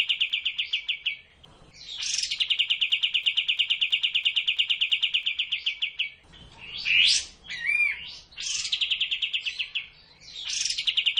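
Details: Sooty-headed bulbul tutor song for caged birds: long steady rapid trills separated by short pauses, with several loud buzzy upswept notes and a few slurred whistles between them.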